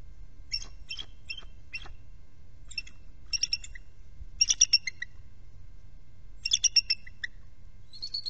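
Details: Bald eagles of a nesting trio, filmed by nest camera during an early nest relief changeover: bursts of high, thin piping notes with stacked harmonics, given in quick clusters of three to five, separated by short pauses, over low steady background rumble.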